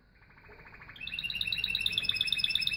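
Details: A canary's trill builds from soft to loud, becoming a rapid, ringing, evenly pulsed warble of high bright notes.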